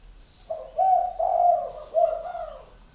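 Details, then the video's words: Spotted dove with a large, bold neck collar of spots, cooing from Ba Vì, Hanoi, Vietnam: a low, soft, mellow phrase of three rounded coos, the middle one longest, the last slightly rising then falling away, with a faint high hiss behind. "CHIM CU GÁY MÔi CÂy Có bộ cườm Khủng"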